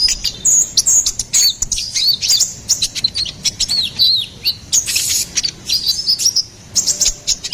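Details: Ruby-cheeked sunbird singing energetically, a recording meant for tutoring and luring songbirds: sharp high chirps and short wavering whistles delivered in fast bursts, with brief pauses between phrases.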